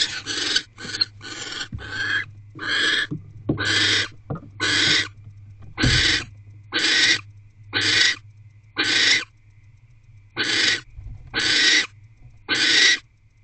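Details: Barn owl in a nest box during a rodent delivery and mating, January 2024 at night: a run of about thirteen short, harsh hissing bursts, roughly one per second, over a faint low hum.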